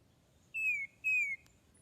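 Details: A recorded tufted titmouse call, played on a phone in Northern Virginia woods one spring morning, gives two clear, slightly falling whistled notes about half a second apart over a faint hum; a territorial pair then responded.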